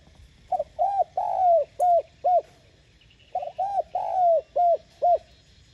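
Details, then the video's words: Spotted dove coo used to lure other doves: two matching phrases, each with short introductory notes, a drawn-out descending coo and two clipped arched notes, about three seconds apart. "Tiếng Cu Gáy Giọng hay GỌI +THÚC Dục BỔI Kích Bổi Nhanh Nổi"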